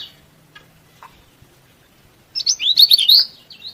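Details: Yellow-bellied prinia in lively song, used to provoke rivals and prompt lazy birds to sing: after quiet, a single burst of rapid, high, warbled chirps lasting about a second.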